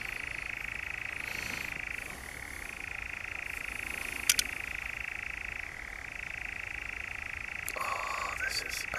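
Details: Continuous reeling churr of a European nightjar, Brecks, Norfolk, July 2017. The trill dips slightly in pitch twice, then resumes its level, with a sharp click midway and a brief extra noise near the end.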